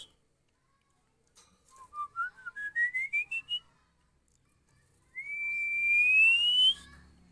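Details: Call of a female Oriental magpie-robin for training: a quick series of about ten short whistled notes climbing in pitch, followed after a gap by one long, smoothly rising whistle.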